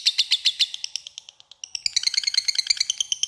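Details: Lovebird ngekek, the long chatter used to draw a rival: a quick string of bright, high chips that fades briefly, then resumes as a denser, faster rattle of sharp notes.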